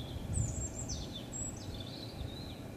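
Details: In the night toward 28 December 2013 a songbird trills out a brief phrase: two high, clear whistles each falling away in a quick stepped slide, with quiet low rumble behind.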